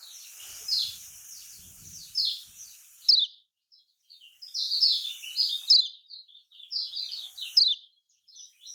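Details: Lemon-bellied white-eye song in the typical Lombok style. High, thin twittering phrases come in quick chirpy bursts with short silent gaps, plus faint low rumbles early on.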